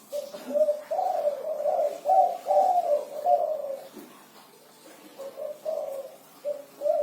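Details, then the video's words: Actively singing spotted dove, kuku 6 style song: a chain of rich, rolling coos for about four seconds, a brief lull, then a few separate softer coo notes spaced out toward the end. "Suara Burung Derkuku Kuku 6 || Tekukur Kuku 6 Gacor"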